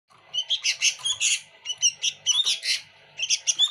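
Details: Sooty-headed bulbul in lively full song packed with fills: dense bursts of high, sharp chirps and short whistled notes, tumbling in quick succession with brief pauses.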